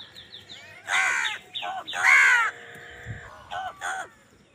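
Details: Crows calling loudly while fighting over food, giving harsh, raspy caws in uneven bursts, two long and loud in the first half, then two shorter caws near the end, with faint chirps and background noise between.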